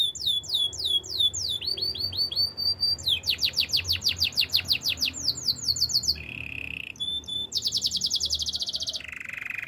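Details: Canary in the wild running through many song phrases: falling whistled notes, fast sweeping chips, buzzy low rattles and dense high trills, each phrase repeated rapidly before switching.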